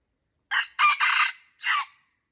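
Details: Wild red junglefowl in the Lamteuba forest of Aceh, where junglefowl fight bloodily; a short, loud four-part crow, a brief note, two harsh blended syllables, then a final rising-falling note, over a steady high insect hiss.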